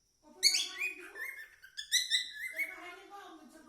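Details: Singing cockatiel: a quick buzzy chirp, then a sustained, slightly wavering whistled note with strong overtones, followed by softer rapid twitters.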